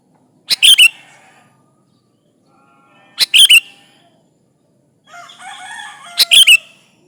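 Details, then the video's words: Sooty-headed bulbul singing to draw rivals, used as a lure: three short bubbly phrases, each a quick burst of whistled notes, nearly three seconds apart, with faint warbling birds behind. "Suara burung kutilang gacor memanggil lawan Ampuh buat pancingan"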